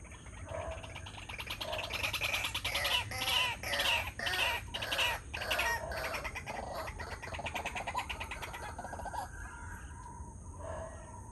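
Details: A pair of white-breasted waterhens calling at 6:59 am: a rhythmic series of rapid, grating notes building to a dense chatter, then fading into a few spaced, lower croaks, with steady background hiss throughout.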